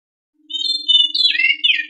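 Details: Lure recording of a white-rumped shama singing to set other birds singing: sustained bright whistled notes give way to a fast, twisting warbled flourish, with a quiet constant low hum underneath.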